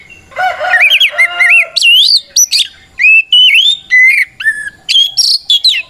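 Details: White-rumped shama singing a challenging fighting song that calls out opponents; varied phrases starting with lower warbled notes, then bright whistles, sweeping slurs and sharp clicks in an irregular lively sequence.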